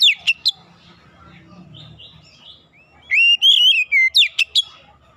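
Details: Oriental magpie-robin lure song used to provoke other birds into singing: loud sharp whistled notes, then a long varied phrase of slurred, rising and falling whistles with fast chips.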